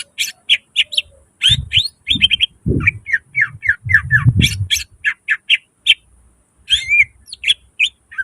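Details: Busy cucak ijo (greater green leafbird) song in the gacor full nembak isian style: long, dense runs of high chirps, slurred whistles and squawky notes, backed by low thumping knocks in the middle.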